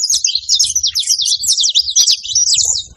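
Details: Short, dense burst of saffron finch song: shrill, rapid chirps and zipping notes packed tightly together, loud and continuous.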